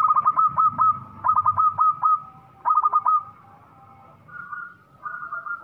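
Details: Zebra dove of local stock, loud and in full song, giving three rapid runs of stuttering coos, each ending in a held note, followed by softer drawn-out cooing tones.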